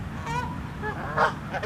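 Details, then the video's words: Canada geese honking angrily while fighting and charging at each other, giving harsh, nasal honks, a couple of overlapping calls within under two seconds, over a steady low background rumble. "Canada Geese HONKING ANGRY Sounds"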